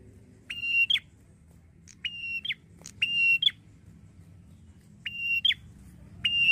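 Red-headed prinia giving a bright, steady whistled note that ends in a quick rising flick. It repeats five times at uneven intervals over a low background hum.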